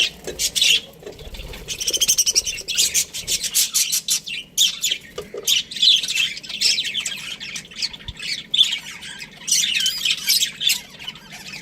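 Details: Pair of breeding Australian budgerigars, chirping in uneven clusters of sharp, scratchy high notes and squawks, with short pauses between bursts.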